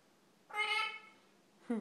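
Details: Lilac-crowned amazon uttering a drawn-out, strongly harmonic, meow-like cry lasting about half a second and fading at the end, then the sharp, abrupt start of a second brassy call.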